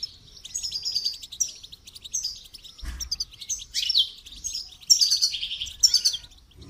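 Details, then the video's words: Goldfinch song for training: lively phrases of sparkling twitters and quick buzzy trills, broken by brief pauses, with the final phrases loudest. "Motivational rewards for training goldfinch to song"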